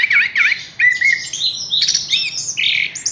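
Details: Caged Horsfield's bush lark, hung up directly without conditioning, giving two quick buzzy chirps, then a rapid medley of high whistles and squeaky notes that continue without pause to the end.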